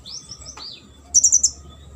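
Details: Sunbird song used as a training recording for competition birds: a high thin whistled phrase sliding down, then a burst of rapid sharp chirps near the top of the range, over a faint steady hum.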